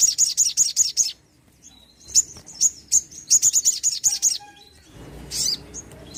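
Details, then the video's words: Sogon bird in vigorous song, a lure to get quiet birds singing: fast runs of shrill high notes, a short pause, another burst, then a brief rustling noise. "sogon gacor pancingan burung bahan & malas bunyi"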